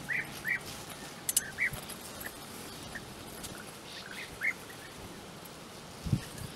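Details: European bee-eater at its nesting burrows in the flat landscape of Puszta Eldorado; a few scattered, rolling trilled notes spaced about a second apart, with a brief clicking sound and low rumbling background.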